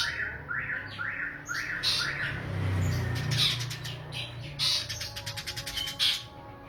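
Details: Eurasian tree sparrows fighting, indoors: a run of harsh, falling chirps repeated about every half second opens, then rapid chattering bursts follow, over a steady low hum.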